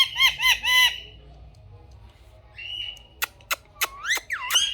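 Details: Pet rose-ringed parakeet in a talking-parrot recording. Three harsh, rasping squawks come in quick succession, then a short pause, a flat whistled note, a series of sharp clicks and rising, swooping whistles.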